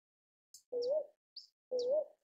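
A Northern boobook gives two soft, low hoots about a second apart, each slightly wavering upward. Faint high ticks sound between the notes.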